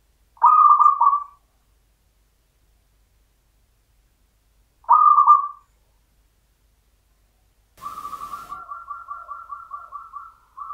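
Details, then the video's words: Local zebra dove singing in the champion Mataram 'irama pakem' style: two short, mellow coos about four and a half seconds apart, then a long beaded trill of rapid, evenly pulsed cooing notes, with a brief burst of noise as it begins. "PERKUTUT LOKAL IRAMA PAKEM MATARAM JUARA"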